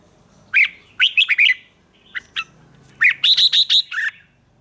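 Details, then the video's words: A red-whiskered bulbul sings its morning song for training in the 'ché' style: a quick chattering run of whistled notes, two soft clicks, then a second run of six ringing syllables ending on a lower note. "Luyện chào mào hót sáng, QUÁ HAY - CHÉ KÍCH BỔI CĂNG ĐÉT"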